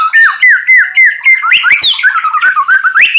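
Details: White-rumped shama (murai batu) in the morning sun, singing to prompt silent birds: loud repeated whistled notes dropping at each end, about four per second, then a faster varied warble rising and falling.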